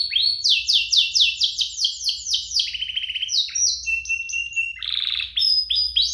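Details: Two canaries singing, used as lure and tutor song for young canaries: a rapid string of rising notes, staccato trills, level whistles, and a short buzzy burst before more rising notes.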